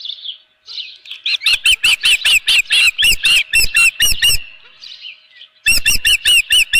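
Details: Osprey at the nest with a live fish, morning of 24 June 2018: faint whistles build into a quick series of loud, piercing chirps, then a short lull and another chirping burst.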